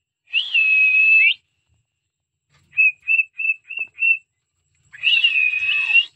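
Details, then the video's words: Cockatiel whistling a song: a long level whistle, then five evenly spaced short whistled notes, then another long whistle that wavers at the end. "cocktail so cute birds singing songs"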